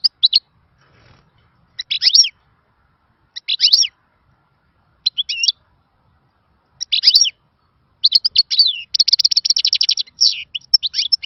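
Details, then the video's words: European goldfinch with a khalawi-style song, called a lost song from the good old days: short twittering phrases spaced a second or two apart, then a sustained rattling trill and chirps. "تغريد خلوي مفقود من الزمن الجميل يخدم بالميزونج jilguero bird"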